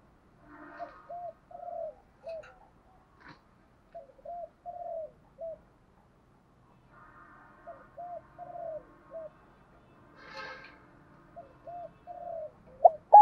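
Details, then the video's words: Male and female spotted dove calls played to attract and challenge wild doves: phrases of four or five low, rounded coos with a slight downward slur, repeated after silent gaps, with faint chirps and a clatter near the end. "tiếng chim cu gáy mồi thúc đấu và gáy gọi bổi rất nhanh về cội khi nghe giọng gáy này"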